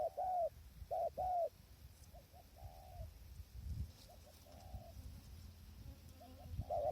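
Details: Spotted dove at a trapping tent hide in strong wind: three loud, mellow coos open the clip, followed by fainter, more distant-sounding coos half masked by gusty low rumble.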